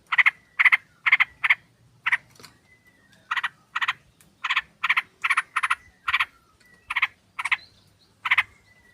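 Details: Sooty-headed bulbul flock, a female calling a male, used as a lure to draw birds in: loud, harsh, bubbly chattering bursts in quick doubles and triples, repeated roughly twice a second, with thin whistled notes between.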